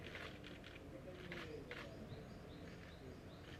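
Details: Ural owl (Strix uralensis) chick giving a few short, hissing, raspy begging calls in quick bursts, over a low rumble of wind or distant traffic.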